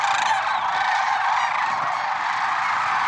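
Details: Massed lesser sandhill cranes calling at dawn on February 6, 2023, Merced National Wildlife Refuge; a continuous dense din of trumpeting, rattling voices, one sharper call opening the stretch.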